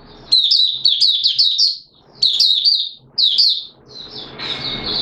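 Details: Oriental white-eye of Malaysian stock, a caged songbird in Singapore on 29 March 2023 in warm, humid weather with sudden showers, opening into song: bursts of quick high twittering notes, each lasting about a second, separated by brief pauses.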